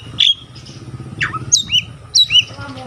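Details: White-rumped shama song said to excite other shamas into singing: three separate loud whistled phrases, each a sharp high note falling into a curved slur, over a steady low rumble of traffic.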